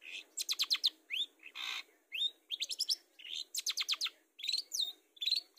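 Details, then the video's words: Long-tailed shrike song played to coax birds into singing: busy sequences of rapid ticking notes, rising whistled slurs and one harsh rasping burst, delivered in short energetic phrases. "Pancingan Burung Cendet supaya gacor"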